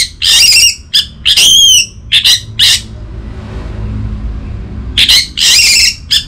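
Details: Orange-headed thrush lure song, played to stir a silent caged thrush into full song: loud, harsh warbled bursts, a pause of about two seconds, then more ringing phrases over a low hum.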